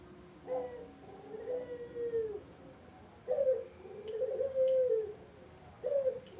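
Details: Barbary dove cooing as a lure for zebra doves. Three low phrases, each opens with a sharp upward note and rolls into a long, wavering coo. Faint clicks and a steady high whine sit in the background.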